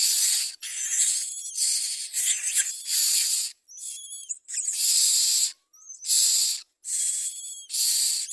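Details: Common myna nest scene with food being brought to the young: rough hissing bursts alternate with brief clear whistled notes that rise and fall, repeated irregularly through the recording.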